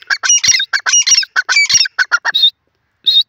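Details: Caged francolin (teetar) from Khairpur calling: a rapid burst of harsh, squawky, grating notes packed together for about two and a half seconds, then a short pause and one final rasping note.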